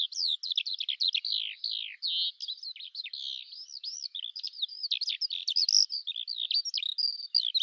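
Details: Song of the Eurasian skylark, a dense, breathless torrent of high chirps, buzzy slurs and twittering trills poured out without a break and rising to a bright, strong note near the end.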